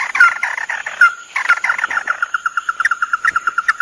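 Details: Male and female red-eyed crakes calling, recorded for use as a trapping lure: a run of short, even notes repeated about five times a second, after a few louder, rougher opening notes.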